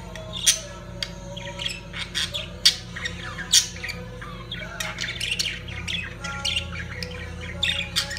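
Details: Lovebirds calling during mating, a dense stream of harsh, high squawks and sharp chirps overlapping with no steady rhythm, several louder shrieks standing out, over a low constant hum.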